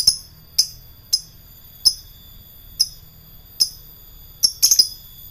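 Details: Lovebird giving ngekek song meant to provoke rivals: sharp, high, clipped chirps spaced roughly every half second to second, ending in a quick cluster of three, against a quiet background.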